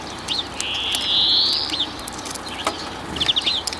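A European greenfinch gives a long, nasal, rising wheeze lasting about a second, then a few short chips and a quick rattling trill.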